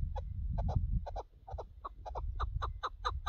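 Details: Recorded during a partridge hunt, a chukar partridge repeats paired, gravelly chuk notes in a steady rhythm, over constant loud low-pitched rumbling noise.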